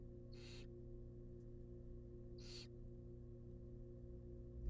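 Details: Two raspy hissing calls about two seconds apart from wild barn owl chicks being fed a rabbit in their nest box, with a low continuous hum and a soft bump at the end.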